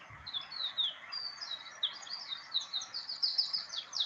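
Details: Wild Atlantic canary singing a fast, high run of varied twittering notes and rolling trills, rich in single and complex syllables with little repetition; faint background hiss.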